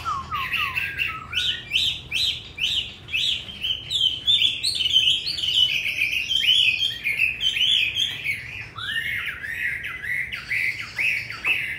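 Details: A purebred hwamei with a good, fast wild-type voice sings a loud, fast run of varied whistles and rich slurred phrases, repeating short notes in quick bursts; the room behind it is quiet.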